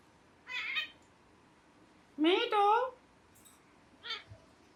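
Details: Pet ringneck parrot indoors making a short rough chatter, then a loud harsh falling screech, then a brief quieter squawk. A faint background hiss runs throughout.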